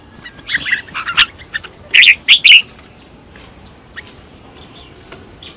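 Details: Red-whiskered bulbul in decoy-bird training, with a few scattered chirps followed by one short run of three loud, warbled whistled notes, then quiet with faint sparse calls.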